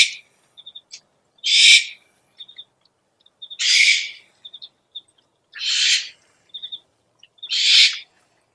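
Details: Owl sound for luring: four rough, breathy screeches spaced about two seconds apart, with soft quick high-pitched peeps scattered between.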